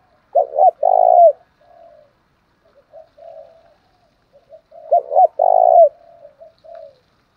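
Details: Spotted dove coo phrase meant to excite rival males, heard twice: each time two clipped throbbing notes and a drawn-out vibrating coo, followed by soft trailing murmurs.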